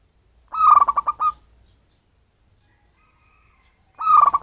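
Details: Zebra dove, a local wild bird from its natural habitat, giving a call used to attract birds: two rapid pulsed cooing phrases about three and a half seconds apart, with silence between them.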